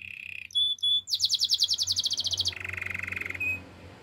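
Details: A canary sings for training: a low buzzy roll, two clear high whistles, then a bright rapid trill of repeated notes that drops to a lower, steady rattling tour and ends on a short whistle. A faint low hum sits beneath.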